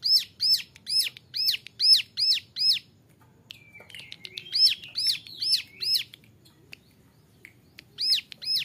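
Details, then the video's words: Young male ciblek gunung, Bar-winged Prinia kept as a singing model, gives seven sharp arching notes in quick even succession, then a short lower twittering phrase, then more arched notes after a pause. "Suara ciblek gunung muda nembak varisi cocok buat masteran"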